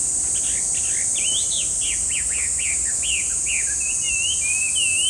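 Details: Chinese hwamei giving a lively series of loud, looping whistled notes, each swooping up and down. Toward the end come longer slurred whistles. A constant shrill insect hum runs underneath.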